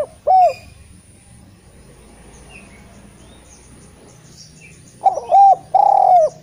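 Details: A Eurasian collared dove used to prompt lazy spotted doves to call gives a short clipped coo, a long quiet gap, then a fresh phrase of quick coos leading into a long slurred note.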